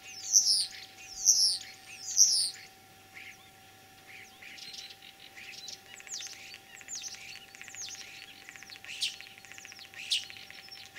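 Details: Common starling singing in spring in Kalyazinsky district, Tver region, Russia, on 9 April 2023; a mimic of other birds. Three loud high chirping phrases open, followed by softer scattered chirps and twitters in a quiet rural setting.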